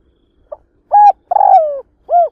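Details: Spotted dove used as a decoy bird, cooing to lure and provoke wild doves for trapping: a short soft note, then a steady coo and a longer croo falling in pitch, ending with a rounded coo.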